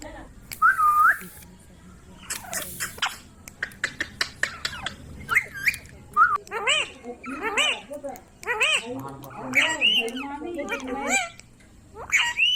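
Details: Ringneck parrot talking in speech-like bursts of harmonic syllables, with scattered clicks and squeaky whistled notes, rising into rapid chatter in the second half.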